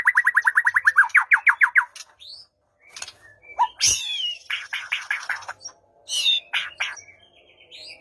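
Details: White-rumped shama song played to coax a quiet bird into answering, for morning or afternoon use: a rapid series of about fifteen repeated down-slurred notes, then varied whistles, a loud harsh burst, and further repeated phrases.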